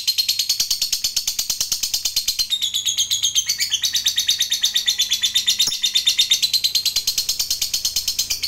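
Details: Long 'ngekek' chatter of a fighter lovebird meant to trigger replies from other lovebirds: continuous scratchy, high trilled pulses at close to three per second, with short squeaky shifts partway through and a faint low hum beneath.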